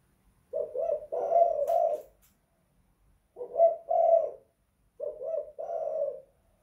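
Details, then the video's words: Indoors in a house, a tekukur, or spotted dove, repeats its 'kuk 2 / guk 1' call: three paired husky coos about two seconds apart, with one faint click during the first. "Tekukur kuk 2 / guk 1 in the house"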